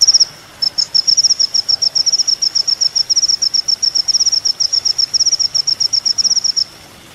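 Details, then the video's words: Sunbird known as kolibri ninja, recorded as training material for songbirds: a long, fast, evenly pulsed high trill of thin ticking notes after a brief opening burst. "masteran mewah full isian kolibri ninja"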